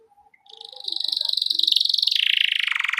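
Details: Canary song used as a tutor recording for young canaries just learning to sing: after faint low notes, a fast, high, steady rolling trill builds and then drops slightly in pitch.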